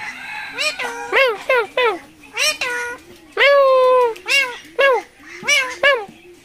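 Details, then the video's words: Talking parrot from the Mirpur 1 bird market, Dhaka, recorded 13 October 2023, mimicking speech with a rapid run of short meow-like syllables and one long sustained cry, over a regular background music pulse. "কথা বলা টিয়া পাখি || মানুষের মত কথা বলে || funny Telking parrot"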